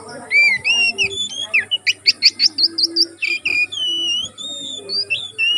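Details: Oriental magpie-robin from the wild singing rich, looping whistles followed by a rapid string of sharp, steep notes and more sweet slurred phrases, accompanied by steady background hum and a thin high whine.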